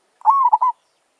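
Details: Single phrase from a wild zebra dove (merbok) at a luring session: a short rising coo running into a long level note, then two quick staccato notes, all under a second, in silence.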